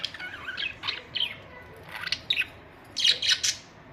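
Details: Budgerigars kept as pets give scratchy chirps and short squawks in uneven bursts, some notes sharp and clicky, others warbled, separated by brief quiet gaps.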